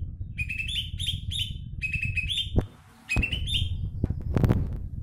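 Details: Caged greater green leafbird, a former contest winner with a very loud voice, repeats rising whistled phrases with chattering notes, broken by thumps over a steady low rumble.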